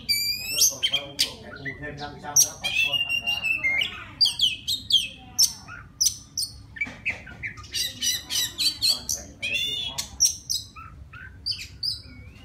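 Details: A white-rumped shama from the wild sings to call a female in a long, varied performance. Loud whistled phrases and sharp chips alternate with bursts of rapid clicking and buzzy notes, repeated in lively sequences.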